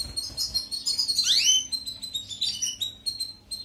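A European goldfinch sings a fast, high, tinkling twitter of bright chirps, broken by a sharp downward-sliding note, in quick unbroken phrases.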